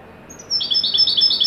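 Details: Brief fragment of a Moroccan Widani goldfinch's joyful performance: a thin high note leading into a rapid run of bright, liquid, repeated high twitters.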